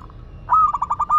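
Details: Zebra dove of the local Madura type giving one brief cooing phrase: a sudden clear tone breaking into a fast stutter of soft rolling notes, then ending on a held note.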